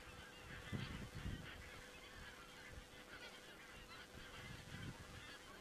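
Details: Geese recorded on 27 September 2017 by a crane webcam in Estonia. There are deep honks near one second and again near five seconds, with a continuous murmur of many birds calling in the background.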